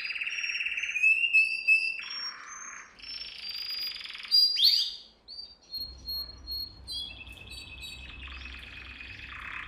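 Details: Training song for young canaries, one canary singing varied phrases: low rolling trills, sharp high whistles and clipped notes, with short pauses between sections. A faint low hum sits underneath.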